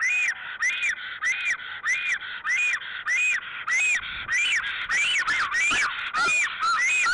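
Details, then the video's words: Black storks at their nest in Alitaguse on 17 April 2014 at 10:32, during a mating ritual with preening and dance: loud arched whistled notes repeated rapidly and evenly, about twice a second, growing more varied and overlapping toward the end. "Black Storks Mating Ritual"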